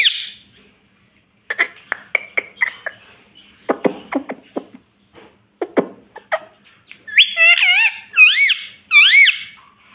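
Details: Pet talking parrot: soft scattered clicks and muttered syllables for several seconds, then three loud wavering, warbling cries in close succession near the end.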